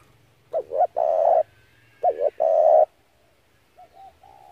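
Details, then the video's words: Spotted dove calling, used as a lure to draw in and trap doves: two loud phrases, each a quick double coo followed by a long rough coo, about a second apart. A fainter, distant coo trails off at the end. "tiếng chim cu gáy hay kích mồi rút bổi tốc độ cực chuẩn"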